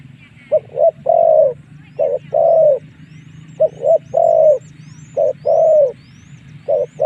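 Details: Lure call of a spotted dove, meant to bring wild doves in to fight: groups of two quick clipped coos followed by a longer, softly falling coo, about every one and a half seconds, with thin rising whistles from other birds and a low hum.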